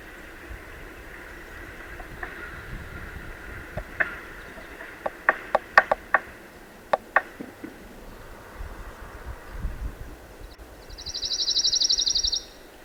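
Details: A Pine Warbler, a largely non-migratory, year-round bird of southern piney woods and longleaf pine savannas, gives a typical song: one even, rapid trill of about two seconds near the end, after scattered clicks over a low background hum.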